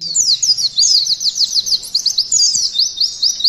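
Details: Pleci, or white-eye, in a canary-style 'nembak' training recording: a burst of varied high twittering and downslurred whistles flows into quick, evenly spaced rising notes. Faint low rumble sits underneath.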